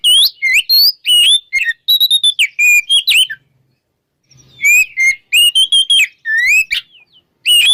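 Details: Morning ngeplong song of an oriental magpie-robin, played to prompt magpie-robins that stopped singing; rapid varied whistles and sweeping notes in two long bursts separated by a brief pause.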